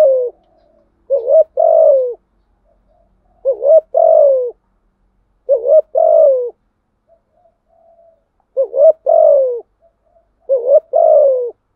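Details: Spotted dove (cu gáy) song used as a lure to attract wild birds. Five similar phrases of two or three hooting coos, the last note sliding down, repeated every two to three seconds in clean silence.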